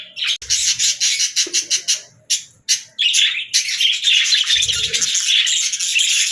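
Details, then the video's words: Budgerigar opening with a series of short, separate chirps and clicks, then running into an unbroken, chattering warble of squeaky, buzzy notes. "Budgies Singing"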